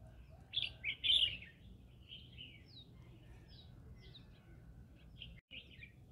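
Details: Amid a rice field, a green-cheeked conure opens with three loud harsh chirps in quick succession, then softer scattered twitters fade out, over low background noise.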